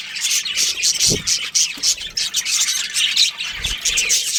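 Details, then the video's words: Budgerigars in a colony with a breeding pair give rapid high chirps and scratchy squawks in pulsing bursts, several low thuds from movement in between. "Cute Budgies Chirping Sounds"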